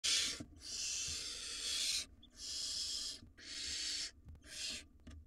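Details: Two wild barn owl nestlings in a monitored nest box swallowing rodents; long harsh breathy hisses, four drawn-out bursts of up to two seconds each with short gaps, faint low rumble beneath.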